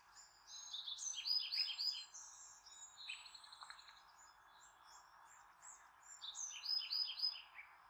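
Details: High piping chatter from a mother bald eagle at her nest near Redmond, calling to her grown offspring circling in a thermal overhead; bursts of rapid, descending chirps, a pause, then another tumbling burst.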